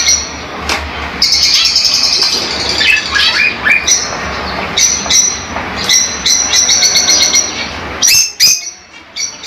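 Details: Pet lovebirds squawking and chattering, shrill high notes tumbling in rapid overlapping bursts, some rising and falling squeaks, with a low hum in the background and a brief pause near the end.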